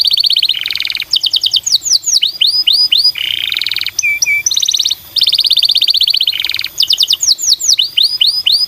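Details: Canary singing as a lure to spur other canaries into song: continuous loud, high trills and rapid rising whistled notes alternating with buzzy rolls, brief gaps between phrases.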